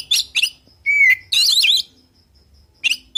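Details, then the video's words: Varied 'isian' song of an oriental magpie-robin, used to call rivals into replying: quick scratchy high bursts, a clear level whistle ending in an upward flick, a long jumbled run of twisting notes, then silence before another short chattering burst. "Suara Burung Kacer Full Isian Di Jamin Langsung Saut Sautan"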